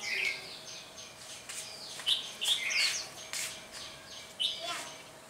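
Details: Red-whiskered bulbul decoy singing in a fight to lure wild bulbuls into a trap on a cold windy day, 17 February 2020: clear whistled notes around 2–4k, short phrases repeated, with clicks and men talking nearby.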